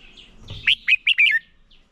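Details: Red-whiskered bulbul used as a decoy bird, singing in competition to train other birds: a short burst of four quick, bright whistled notes, slurred and warbling, ending in a brief trill.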